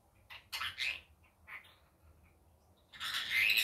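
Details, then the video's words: Daytime calls of a pet rainbow lorikeet: a few short raspy squawks early on, a near-silent pause, then a loud, sustained shrill screech with a whistled edge at the end. "Rainbow Lorikeet daytime"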